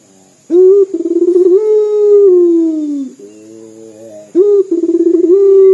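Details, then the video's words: Local puter dove calling often, its voice likened to crying: a burst of rapid rolling pulses, then a long, steady, mournful coo that slowly sinks and fades, and a second rolling onset near the end. A faint high steady whine runs throughout. "PUTER LOKAL GACOR DOR SUARA SEPERTI MENANGIS"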